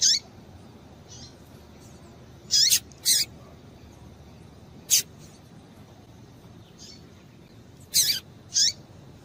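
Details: Female double-collared seedeater giving calls meant to excite males into song: scattered high, raspy chips, often doubled, at uneven intervals across the stretch, with steady low hiss beneath.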